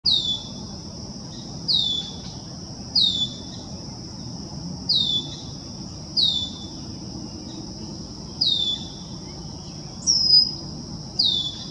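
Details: A male Red-winged Blackbird peeping from a treetop in College Park, Maryland, June 2024, gives thin, high, down-slurred whistled peeps about every one and a half seconds, over a steady high insect drone.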